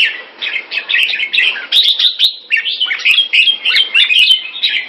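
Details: Red-whiskered bulbul kept in Singapore, singing keke on command: a steady stream of rich, jumbled warbling notes, tightly packed and repeated without pause, with faint clicks in the background.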